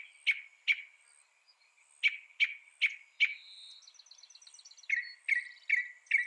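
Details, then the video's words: Sharp, clipped notes from a mockingbird, given in pairs and small groups with gaps, broken by a soft buzzy chatter before more crisp repeated notes. "Mocking Bird sound"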